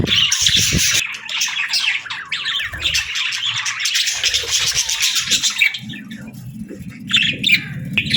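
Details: Several budgerigars chattering, a dense stream of warbles, chirps and short squawks, easing off after about six seconds, with low rumbling background noise toward the end.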